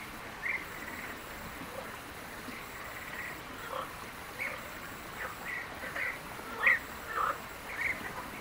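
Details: European bee-eaters in Palestine give short, rolling chirps that come irregularly, a bit more than one a second, over a steady hiss of wind or water.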